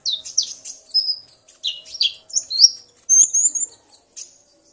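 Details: Male common iora singing, excited by a female's calls, the pair answering each other; high whistled and slurred chirps, some rising, in quick short bursts about every second with brief pauses.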